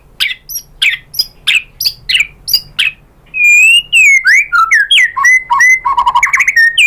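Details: Shama used as a lure to make other birds sing: a run of sharp, clipped high notes gives way to a loud flowing song of slurred whistles and fast rolling phrases.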